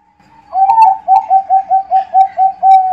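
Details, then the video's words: Bangkok-type zebra dove bred for song contests delivers a run of mellow coos. A slurred opening is followed by about seven short, regular notes, then a longer held closing coo. Clear, quiet surroundings. "dengarkan suara burung perkutut bangkok 10 menit langsung gacor"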